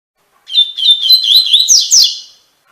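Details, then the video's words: Double-collared seedeater singing the Tui Tui Fibra song style, a tutoring recording for captive birds: one loud two-second phrase of clear whistled notes running into quick sweeping, rising twitters at the end. "Encarte para Coleiro e Baiano - Canto Tui Tui Fibra"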